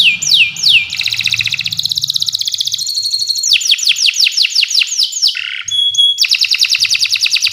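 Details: Canary singing a long training song for birds: descending swoops, fast buzzy trills, a pure ringing whistle and more rolling trills in quick succession.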